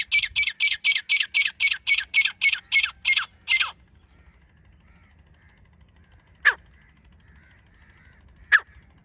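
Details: Grey francolin female, known locally as teetar, calling on 24 January 2025: a rapid run of about thirteen harsh, grating notes over nearly four seconds, then two isolated sharp clicks. Faint low background rumble.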